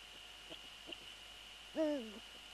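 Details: Eurasian eagle-owl at its nest on February 3, 2014, around 18:10, during a prey transfer with the male on the nest. After soft faint clicks comes one loud, tonal, slightly falling call lasting about half a second, over a steady background hum.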